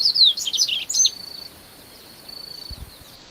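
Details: A male Double-collared seedeater's varied song: a quick run of high, sweet chirps and slurred notes opens, then fades into a thin, steady high whistle; a soft low thump near the end.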